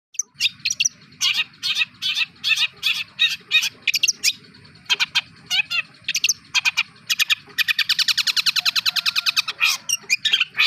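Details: Long-tailed shrike singing mimicked material of other birds: harsh buzzy chattering notes in uneven bursts, then a fast rattling run of evenly repeated clicks near the end.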